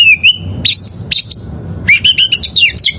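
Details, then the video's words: Wild oriental magpie-robin giving a long level whistle, then sharp rising slurs, ending in a rapid jumble of high twittering notes. Soft low hum behind. "Masteran Suara Burung Kacer Liyar...!!!"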